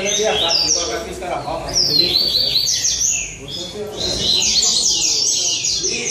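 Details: Rusty-collared seedeater songs from a singing tournament in São Vicente, with bright, rapid, high-pitched phrases of sharp slurred notes that overlap between birds. Short pauses break the song, and human chatter murmurs in the background.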